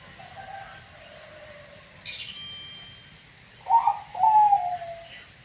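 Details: Zebra dove of the katuranggan banyu mili type calling in an unusual way: a faint soft phrase first, then a louder cooing phrase of quick falling notes ending in a longer coo, with a brief high tone in between.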